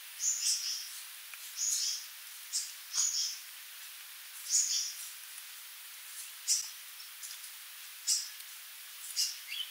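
Sooty babbler giving short, high chirping notes in irregular bursts, roughly one every second or two, over a steady background hiss.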